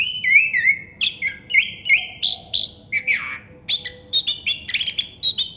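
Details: Chestnut-capped thrush singing 'ngerol', beginning with wavering looped whistles, then a sweeping slurred note and a string of clipped, repeated high chirps.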